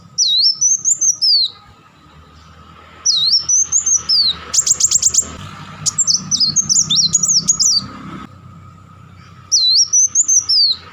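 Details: Repeated rapid bursts from a kolibri wulung sunbird, known as crecetan and tembakan: high, looping twittered phrases about every three seconds, with a quick stuttering volley of sharp notes in the middle.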